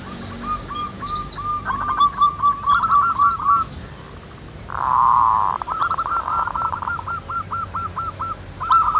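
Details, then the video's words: Zebra doves singing in nature, many at once: fast strings of hooked cooing notes, broken midway by a loud blurred burst, then a long even run of notes, with high chirps from other birds. "SUARA BURUNG PERKUTUT MANGGUNG RAMAI DI ALAM"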